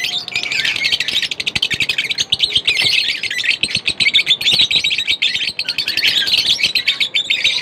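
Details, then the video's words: Lovebirds chirping non-stop, dense rapid high twittering and chattering with sharp clicks, busy and continuous throughout. "lovebirds chirping sound Non-Stop"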